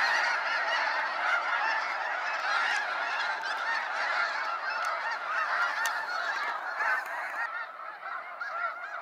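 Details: Waves of snow geese leaving Sacramento National Wildlife Refuge at sunset: dense overlapping honks from a huge flock, continuous at first, then fading somewhat in the last seconds.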